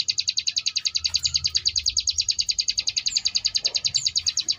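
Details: Ngebrem variation song of a Sunda bush warbler for training contest birds: a continuous high, rattling series of quick buzzy pulses at a steady pace, with a few faint thin whistles over it.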